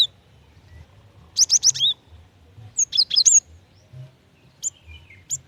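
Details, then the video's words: Female cinereous tit calling to a male: a quick run of four high chirps, then a tumbling group of slurred notes, then a few sparse chirps, against a quiet background. "Suara gelatik batu betina"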